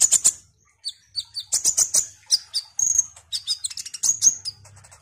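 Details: Orange-headed thrush, or kolibri ninja, presented as a keen singer meant to rouse other thrushes. It delivers quick high chips, paired descending whistles and brief sustained tones in a busy, varied song with short pauses.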